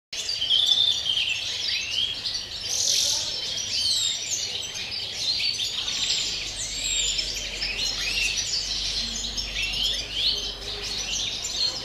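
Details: European greenfinch (Chloris chloris) sings a pure wild-type field song on 30 December: a continuous, fast twittering of high chirps and trills with brief wheezy notes mixed in, over faint hiss.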